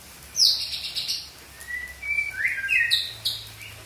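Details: Young wild white-rumped shama giving a harsh, high buzzy note followed by thin whistled notes and quick sweeping chirps, over a quiet low hum.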